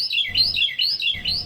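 Carolina Wren giving its loud, rolling teapot song: clear, ringing phrases of two or three notes, repeated quickly, with a faint low hum underneath.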